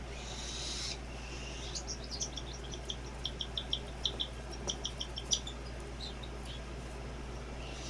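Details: A baby cockatiel being hand-fed formula and cerelac gives rapid, raspy chirps in a steady pulsing series as it begs for food.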